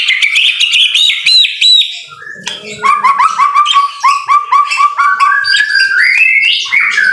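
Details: White-rumped shama singing in the rain, a high rapid trilled passage, then a long run of short rising notes about four per second, climbing higher toward the end.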